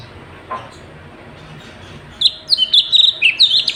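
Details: Sooty-headed bulbul in lively 'gacor' singing for bird tutoring: two seconds of quiet background hiss, then a sudden burst of sharp, rapid whistled and chirped notes.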